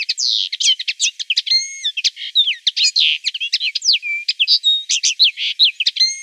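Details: Common linnet singing in the background of a watercolor painting session, a rapid unbroken twittering of varied chirps, slurred whistles and short trills, high-pitched with no low sounds at all.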